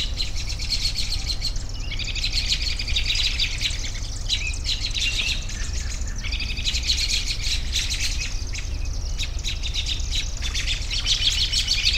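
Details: Several birds chirping and trilling at once in high, dense bursts that pause briefly and resume, over a steady low rumble of background noise.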